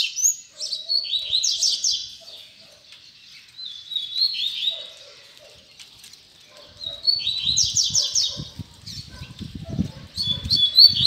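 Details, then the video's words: High, fast tui tui zel zel phrases from a double-collared seedeater, clusters of chirped slurs coming in bursts, with low rumbling handling noise building toward the end. "Coleiro Tui Tui Zel Zel"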